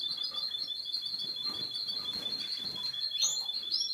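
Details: Yellow male Russian canary, ready for breeding, from Boston: one unbroken, steady high trill of rapidly repeated notes runs the whole time, with a brief upward-sweeping note near the end over light background hiss.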